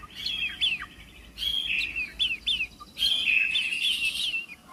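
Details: White-rumped shama song: bright, high whistled phrases with sliding notes, given in three bursts separated by brief pauses.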